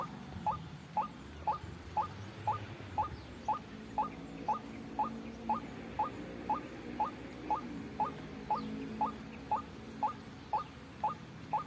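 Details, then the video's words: White-breasted waterhen trapping lure: a long even run of about twenty-three short rising notes, two each second, over a low rumbling, humming background. "suara pikat burung ruak ruak"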